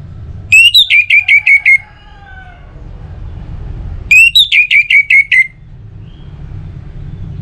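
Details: Two matching phrases from an orange-headed thrush in ngeplong style, a lure for other songbirds: each a rapid run of about seven piercing whistles dropping in pitch, separated by several seconds of soft hum.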